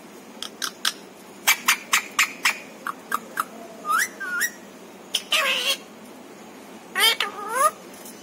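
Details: Domestic parrot that mimics words like papa and mummy; a rapid series of dry clicks and tongue-like pops gives way to nasal, rising speech-like phrases and a buzzy drawn-out syllable, followed by two more inflected calls.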